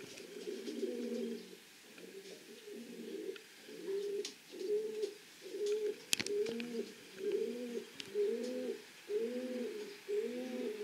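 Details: Racing pigeons in the loft cooing steadily, low throaty coos repeated about once a second in rolling bursts, with occasional sharp knocks and faint rustling.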